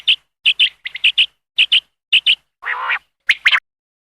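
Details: Common quail call used as a hunting lure: short sharp notes near the upper-middle pitch range, given in pairs and triplets about every half second, with one harsher, buzzy burst toward the end.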